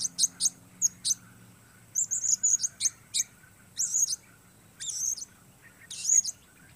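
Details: A blue-crowned hanging parrot singing solo while facing the weather, delivering repeated very high, thin chirps and short squeaky buzzes in quick bursts, roughly a dozen notes over several seconds, with a low hum behind.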